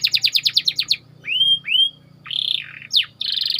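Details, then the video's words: White canary singing a tight rolling song, used as tutor bait for training canaries: a fast trill of about ten sharp notes, two arched whistled slurs, a broad buzzy burst, a steep downsweep, then a dense buzzing trill. "Burung Kenari Ngerol Rapat"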